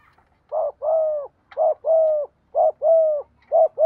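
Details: Spotted dove used as a decoy bird, a newly caught bird in daily training, calling: pairs of low, mellow coos, a short note then a longer level one, repeated about once a second in a quiet setting.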